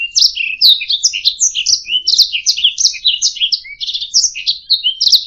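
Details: Canary singing a continuous rapid song of high chirps, trills and short whistled notes, jumping up and down between notes with barely a pause, used as a master recording for training other songbirds to sing; no other sounds.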